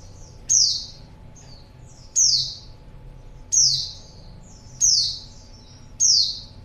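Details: Female white-eye calling to draw in a male: five high, thin, descending slurred calls at about 1.5-second intervals, each followed by softer trailing twitters, over faint low noise.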